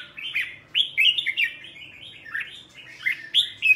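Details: Red-whiskered bulbul morning song, a caged bird trained toward the double-note old-forest style: bursts of bright slurred whistled notes, looping up and down, separated by short quieter gaps.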